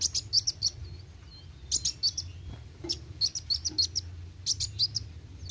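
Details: Olive-backed sunbird (kolibri wuling) in energetic roll tembak song: fast, irregular high chips about three per second, a couple of soft thin whistled slurs in a short gap, low hum beneath.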